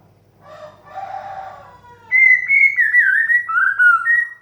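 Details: White-rumped shama therapy song in the teasing 'desahan' style, meant to stimulate young birds to sing. A soft, low raspy murmur swells, then gives way to loud, clear whistled warbles that slide down and back up.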